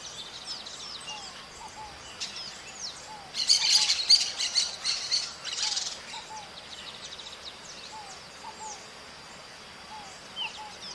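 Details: Maritaca parrot: a sudden loud cluster of rough, scratchy squawks midway, set among faint high chirps and soft whistled notes from other birds.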